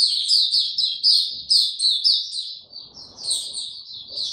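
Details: Kept white-eye singing with no health supplements given, recorded 29 April 2022: a fast, continuous, high-pitched twittering of thin chirps and warbled notes, with a brief low faint rumble midway.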